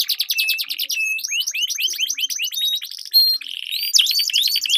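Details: Competition-training lure song of canaries in a duel: quick series of upward-sweeping whistled notes, mixed with brief buzzy trills and short flat tones, delivered in a long continuous high-pitched flow.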